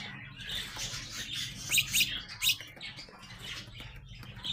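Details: Growing young house sparrows give dense, high, squeaky chirps and tweets overlapping throughout, with a louder burst of sharp, bright notes near the middle and a soft low hum in the background.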